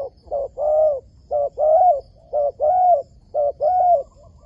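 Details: Repeated wild dove coos used while luring doves into a trap: short note then a longer arched coo, the pair given about once a second, four times in succession, loud and clean.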